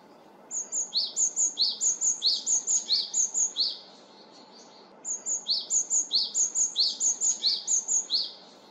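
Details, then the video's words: A great tit sings in a spring forest: two runs of bright two-note phrases ("tsubi-tsubi"), a high note dropping to a lower one, about two per second, over a soft rushing background. "맞아요. 새소리예요. 박새가 쯔비쯔비 노래하는 소리랍니다."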